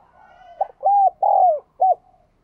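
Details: Spotted dove cooing to make captive doves coo: after a quiet hum, a brief grace note, then three clear hollow notes, the middle one stretched out and falling in pitch.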